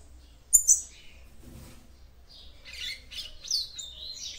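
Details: A female yellow-bellied seedeater sings to stimulate the male. Two sharp high ticks come first, then after a quiet spell a jumble of rising and falling high chirps and thin whistles.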